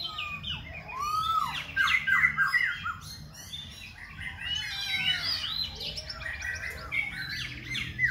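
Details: Khe Sanh laughingthrush singing nonstop with changing voice, dense varied whistles, slurs and harsher notes delivered in fast bursts, loud and musical throughout.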